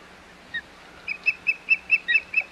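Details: Osprey calling at its Hog Island nest on 25 May 2021: one lone whistle, then a quick string of about seven bright, slightly buzzy chirps in under two seconds.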